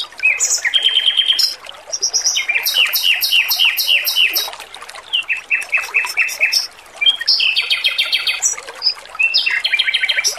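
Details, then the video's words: Energetic song from a male robin, recorded for training: varied bright phrases of rapidly repeated chirps and high ringing notes, with short pauses and a constant trickle of water behind. "MASTERAN BURUNG ROBIN JANTAN GACOR, SUARA MERDU DAN JERNIH"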